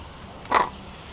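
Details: Tame, free-flying pied crow in a neighbourhood, come closer to investigate after its odd noises were imitated and more interested in chatting than eating a peach, gives a single short, harsh, throaty mid-range croak over quiet hum.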